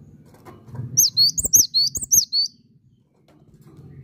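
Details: Cinereous tit singing keenly: a rapid string of high, bright two-tone whistles lasting about a second and a half, with a few soft clicks and low rumble beneath.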